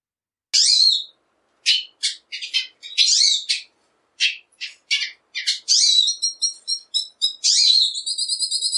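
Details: Loud, bright song of a black siskin: sweeping high notes and clipped chirps in quick succession, ending in a run of repeated ringing notes with sustained twangy tones.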